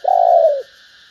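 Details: Single low, hollow coo from a female spotted dove calling to stimulate males, a smooth note of about half a second that fades at the end, over a steady high background hum.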